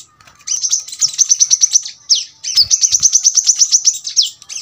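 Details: Brown-throated sunbird giving sharp, dense song: bursts of quick high ticking notes in rapid rows, broken by sweeping downslurred whistles, clear and loud with little background.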